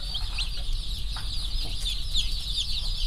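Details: About a thousand newly arrived slow-growth rainbow broiler chicks, healthy and active after their journey, running about and pecking: a dense chorus of high, thin peeps overlapping continuously over a steady low rumble.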